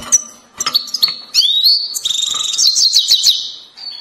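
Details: European goldfinch, grey-headed or black-headed form, uttering chir-chir calls close up: sharp clicks and short chips, then a rising slurred whistle leading into a fast, trilled, twittering phrase, ending with a thin held note.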